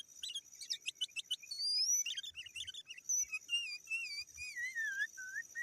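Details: Sooty-headed bulbul giving rival-directed calls, used for luring wild birds: rapid chirps, then a long rising whistle and a chain of wavering, descending warbled notes over a constant high hiss.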